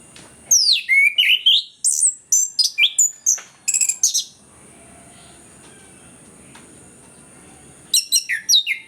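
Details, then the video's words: Orange-headed thrush in full song, used as a lure to prompt lazy birds to sing: a rapid run of loud, varied high whistles and slurred, sweeping notes for nearly four seconds, a quiet pause, then another burst; a faint steady high whine persists throughout. "ANIS KEMBANG GACOR, PANCINGAN AK MALAS BUNYI BIAR GACOR"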